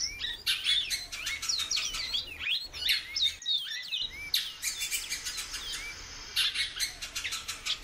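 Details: Busy series of whistled calls from a female great-billed seed finch, upslurred and downslurred notes tumbling together, over broadband clicks and rustling, with a brief pause midway.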